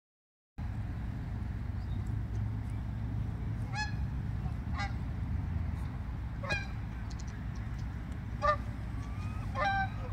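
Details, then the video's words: Geese walking at Point Defiance and honking: about five short, nasal, harmonic honks at irregular intervals in the second half, over a steady low rumbling background. "Geese walking & honking"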